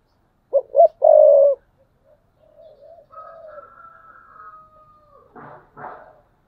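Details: Thúc bổi coo of a decoy spotted dove, 2022: one loud phrase of two brief notes and a long burry coo, followed by quiet low coos, a thin steady high tone and rough scratchy sounds at the end.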